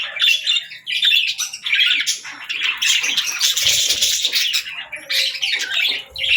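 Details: Continuous, loud, scratchy budgerigar warbling with harsh squawks and rapid chirps in dense overlapping bursts, barely pausing throughout.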